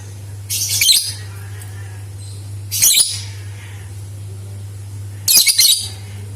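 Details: Lovebird calling as a lure meant to set other lovebirds singing: three shrill, harsh, rasping bursts, each under a second, spaced about two seconds apart over a steady low electrical hum.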